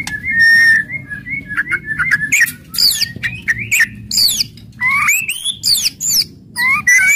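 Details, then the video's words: Loud aggressive white-rumped shama song intended to stimulate other birds: a sustained warbled whistle, then buzzy high sweeping notes and bold rising and falling whistles separated by short pauses. "KRETEKAN KERAS & TEMBAKAN MURAI BATU FASTOL.//, ASLI SUKSES MERANGSANG EMOSI"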